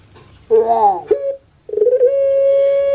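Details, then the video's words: Pelung rooster in Java, Indonesia, opening with a rough, wavering rising phrase and a brief note, then a steady, bright crow held strongly for over a second. "KONSER ANGGUNGAN PUTER PELUNG"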